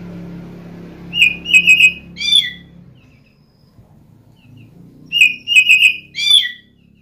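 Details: Oriental magpie-robin, a lure song meant to set other birds singing, described as cat-like: loud bursts of clear whistled notes near a steady pitch with higher harmonics, then a buzzy falling phrase, repeated twice with a quiet gap and a low hum beneath.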